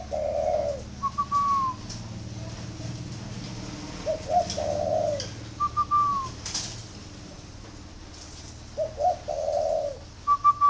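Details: Spotted dove cooing on cue: a low, quavering two-part coo is followed by a higher, drawn-out note that falls at its end. The phrase repeats three times, about every four to five seconds, over a faint steady background hum.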